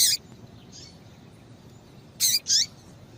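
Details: A female Double-collared seedeater gives a call used to stimulate males to sing: short, high chip notes, one at the start, a faint one after, then two close together near the end, over a quiet background.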